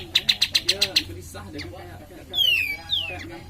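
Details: Cream-vented bulbul lure song meant to stimulate other birds: a fast burst of about seven sharp high ticks, then two loud descending slurred whistles, over a low steady hum.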